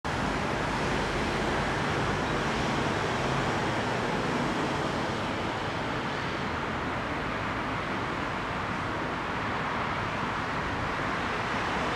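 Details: Steady road traffic roar from passing cars fills the whole recording, with no animal calls heard.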